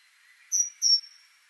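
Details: Pair of high, pure whistled notes from a great tit (Parus major), the second slightly longer, about 0.3 seconds apart in a quiet setting.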